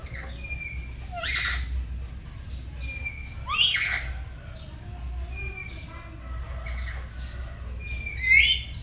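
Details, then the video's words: Morning practice of gacor singing by a pet black-capped lory in a home duet: three harsh, scratchy calls spread across the recording, with scattered faint whistled notes and constant low hum behind. "Belajar Gacor pagi pagi | Duet Nuri Kepala Hitam"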